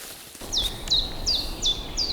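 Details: Common chiffchaff singing its repeated chiff-chaff, five sharp, high notes at a steady pace, about three per second, in spring woodland near Neuchâtel, Switzerland, over quiet outdoor background noise.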